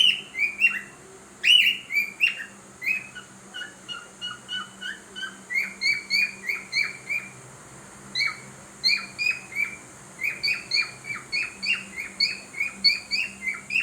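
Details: A pet cockatiel, in its morning habit of trying to sing, gives a quick series of bright chirps and short whistled notes, repeated in bursts.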